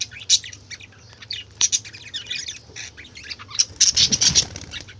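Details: Budgerigars in noisy commotion: harsh, overlapping squawks and shrill chirps, building into a dense, loud burst of calls toward the end.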